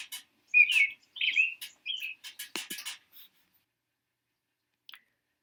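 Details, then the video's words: American robin in the Boston area, spring, giving four or five short, clear whistled phrases in quick succession, each slurring up and down, followed by a few clicks and knocks. "A robin sounds like this."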